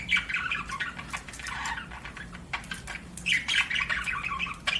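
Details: Pet budgerigar chirping in bursts of scratchy, warbled notes with stacked buzzy tones, pausing briefly between phrases, over a quiet low hum.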